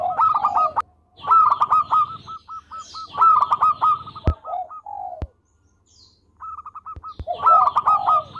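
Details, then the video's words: Local zebra dove singing actively and sweetly, kept as a tutor recording: repeated bouts of a low coo leading into fast runs of crisp repeated notes, separated by short gaps and a few sharp clicks. "Perkutut Lokal Gacor Suara Merdu"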